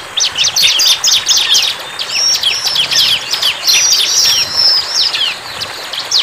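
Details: Wild bar-winged prinia singing vigorously: bright, high chirps rattled out in quick bursts, mixed with thin drawn-out whistles, separated by very short pauses.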